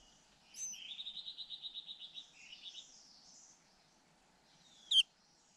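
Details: Two white-eye nestlings call for food as both parents relay feedings. A rapid, evenly pulsed buzzy trill runs for about two seconds, trailing off. A single loud, sharp note comes near the end.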